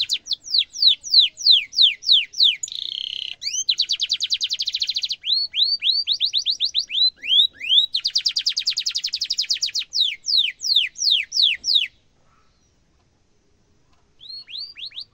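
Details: Canary singing a sharp rolling song used to tutor young canaries: rapid buzzy trills alternate with high, repeated downslurred whistles, then a two-second silence before a brief final phrase.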